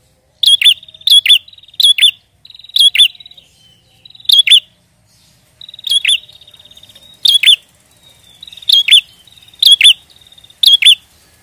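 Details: Persistent prinia song used to lure wild prinias for trapping. High, sharp double chirps repeat many times over eleven seconds, often introduced by a thin buzzing trill. Nothing else intrudes on the quiet background.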